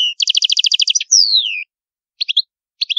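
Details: European goldfinch singing the old-style Palermo Sicilian song, a clean recording meant for tutoring young goldfinches and hybrids: a rapid string of buzzy repeated twittering notes, then a long descending whistle, followed by short paired chirps after pauses.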